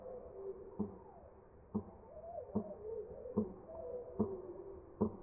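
White stork bill-clattering slowed right down: hollow, knocking beats about once every second, with a low, wavering drone between them.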